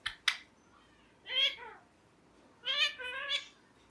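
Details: Pet ringneck parrot speaking: two quick clicks, then two harmonic, speech-like phrases with wavering pitch separated by a brief pause.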